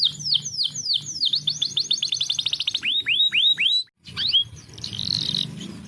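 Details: Lure song of a canary for coaxing silent birds: a string of bouncy looping chirps speeding up, then several drawn-out falling whistles, a pause, and faint notes with hum.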